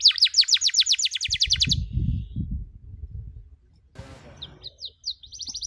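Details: Canary tutor recording for young birds learning cuit-cuit: a fast bright chirping trill that breaks off into low rumbling handling noise and a short scratchy burst, then a few sparse high chirps.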